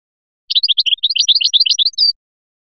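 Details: European goldfinch from Biskra singing in the filiachi style: a rapid, unbroken run of bright twittering notes lasting about a second and a half, ending in a short buzzy trill, with no other sounds.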